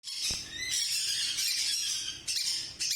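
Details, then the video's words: Monk parakeets, also called Quaker parrots, blue and green birds, giving harsh, screechy squawks in an almost unbroken stream of chatter, with a short lull near the end before the loud grating calls start again. "Monk Parakeets||Quaker Parrot"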